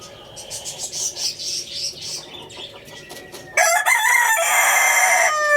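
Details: Rooster giving one loud, strained crow after a stretch of busy, chattering small-bird calls in the background; the crow holds a steady harmonic tone before falling off at the end.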